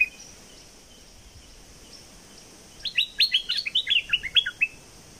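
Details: Bulbul of southern Thailand, whose song is played to excite birds for trapping: after quiet, one lively phrase of quick, bubbling, warbled notes, rising and falling, lasting about two seconds.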